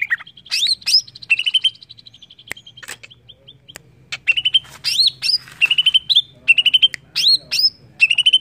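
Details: Greater green leafbird singing, used to prompt others to sing: a lively run of chirped whistles in short bursts of four or five notes, mixed with upward-swept squeaky phrases and occasional sharp clicks, over a quiet low hum.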